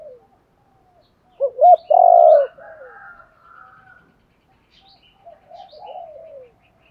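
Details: Spotted dove coo for rousing decoy birds: two quick arched notes, then a long, loud coo. Softer, wavering calls follow later, with faint high chirps in the background.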